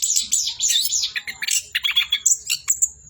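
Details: Brief Orange-headed thrush phrase of warbled, buzzy high notes running into a string of quick separate chirps and sharp whistles.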